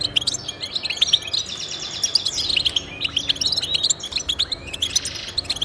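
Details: European goldfinch song played to encourage pet goldfinches to sing: dense, fast twittering of high tinkling notes and short buzzy trills, overlapping phrases running without pause, with faint low background hum.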